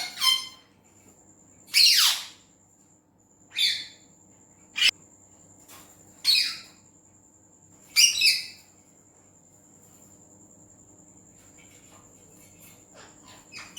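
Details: Talking Indian green ringneck parrot, Urdu/Hindi words claimed: five loud rough outbursts spaced a couple of seconds apart, one sharp click between them, then faint scratchy sounds toward the end over a constant high whine.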